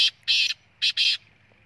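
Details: Black francolin calling: four harsh, broadband bursts in two pairs, each about a fifth of a second long, with a faint low hum behind.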